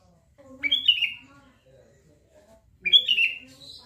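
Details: Sooty-headed bulbul giving two short, bright, slurred whistled phrases about two seconds apart, each a quick rising then falling warble, with a faint low murmur between.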